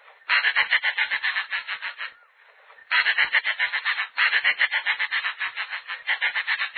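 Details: Snail kite (Rostrhamus sociabilis) from Brazil gives a harsh, rasping chatter of rapid pulses, about four a second, in two long bursts separated by a brief pause.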